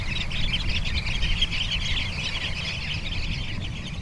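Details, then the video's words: On the beach at Bañugues, Asturias, sanderlings keep up rapid, clipped high-pitched chips, about three per second in an uneven run, against a continuous low background rumble of sea and wind. "Correlimos tridáctilo (Calidris alba)"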